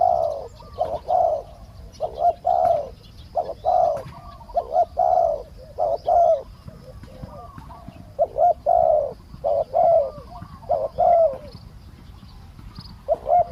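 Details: Long run of spotted dove cooing as a decoy bird calls to lure a small-voiced wild bird in. Deep, mellow coos come in repeated two- and three-note phrases with barely a pause between them.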